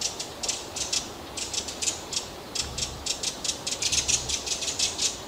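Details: Two-day-old Redwing (Turdus iliacus) nestlings begging in the nest, Kalinovsky forest park, Yekaterinburg, 23 June 2020: a rapid series of thin, hissing high-pitched calls, several each second, with a faint low rumble.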